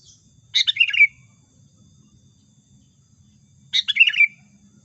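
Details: Lure call of a sooty-headed bulbul for trapping: two bright chattering phrases about three seconds apart, each a rapid cluster of bubbly notes sliding down to a brief tail.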